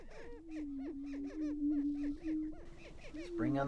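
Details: Male greater prairie-chickens facing off at a Minnesota lek, April 2019; a rapid series of rising-falling cackling whoops over a low steady boom, ending in a louder harsh outburst.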